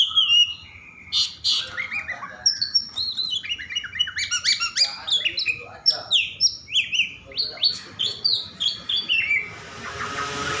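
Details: Oriental magpie-robin in an over-excited, agitated state, singing to spur other magpie-robins to sing: a dense stream of sharp chirps, slurred whistles and rapid repeated notes, with a hiss rising at the end.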